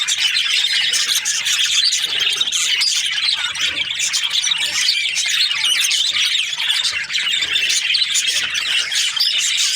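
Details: Budgerigar chirping happily in a long, busy run of shrill twittering, squeaky warbles and rapid clicks, continuous and dense from start to finish.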